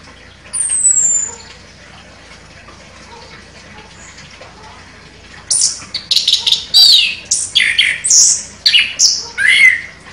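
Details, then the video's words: Chestnut-capped thrush, a contest champion, singing sharply in 'nembak' style: a lone thin descending whistle, a pause, then about four seconds of loud, varied scratchy notes and squeaky whistles in rapid bursts. "ANIS KEMBANG JUARA NEMBAK TAJAM"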